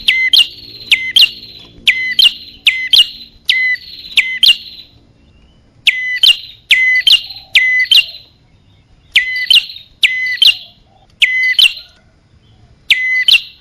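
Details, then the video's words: High, piercing bar-winged prinia lure calls aimed at male and female birds: many twin-note phrases, each a sharp downslur into a held whistle plus a rising chip, repeated roughly every second in long runs with a few short breaks. "Suara pikat burung kecil paling ampuh | Anti Gagal Khusus Prenjak Atas Betina Jantan"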